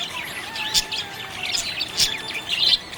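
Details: A happy budgie gives quick high chirps and scratchy warbling notes in steady chatter, with sharper tweets standing out about every half second.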